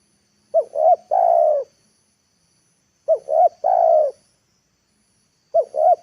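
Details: Lure calling of a spotted dove meant to bring wild birds to the ground: two full phrases of paired short coos plus a long, slightly falling coo, then the start of a third, clear and quiet between.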